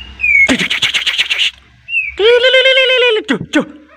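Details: White-rumped shama in an excited, agitated state, singing a sharp song full of varied fill phrases that provokes rival birds to answer: clear whistled notes broken by harsh buzzy bursts and a nasal grating phrase, ending in quick downward-swept notes.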